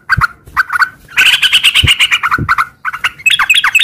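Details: Yellow-vented bulbul song, a lively singing bird, used as a lure to get caged bulbuls to sing back. Bubbly, warbled phrases of short rising and falling notes, with a denser chattering burst in the middle and sharp clicks between notes.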